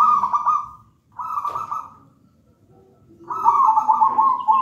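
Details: Wild local zebra dove, taken from a nest in a raja banana plant, singing actively: three rolling, trilled coo phrases separated by short pauses, the last longest and loudest.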